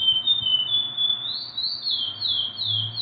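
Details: Chestnut-bellied seed finch (Sporophila angolensis), song.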